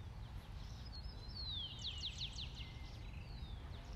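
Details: Swallows near a conifer tree on the Sabana de Bogotá give quick, high twittering chirps and thin descending sweeps over a steady low rumble of wind.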